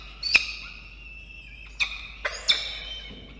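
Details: Peregrine falcon chick being fed by its mother in a nest box on a water tower, Orange, NSW, Australia, midday 24 October 2021: thin sustained high wails with sharp ticking clicks at irregular intervals.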